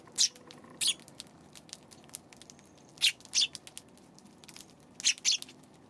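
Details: Eurasian tree sparrow calling on the afternoon of March 31: pairs of quick, high, scratchy chirps in three bursts spread over six seconds, with faint ticking in between.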